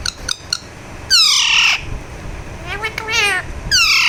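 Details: Loud, harsh squawks and chattering, speech-like notes from a talking Alexandrine parakeet during a massage, with several bright downward-sweeping calls and brief clicks between them.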